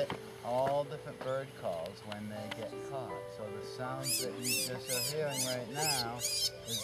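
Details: Female Phainopepla held in a mist net in the California desert in February gives loud, horrible screaming calls that imitate a Red-tailed Hawk; the bird is unhurt. Harsh, shrill screams repeat about three per second in the second half, over speech and background music.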